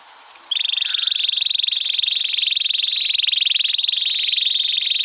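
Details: Sustained canary roll used in song tutoring: after a short quiet start, a buzzy, tightly pulsed trill holds at one pitch without a break for over four seconds.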